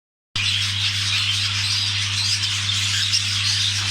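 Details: Budgerigars during mating give a dense, continuous high chattering warble with scratchy squeaks and brief whistled notes throughout, over a steady low electrical hum.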